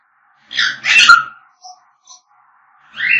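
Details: African grey parrot calling: a loud rough squawky burst, then faint short whistled pips, and a final rising nasal call, indoors.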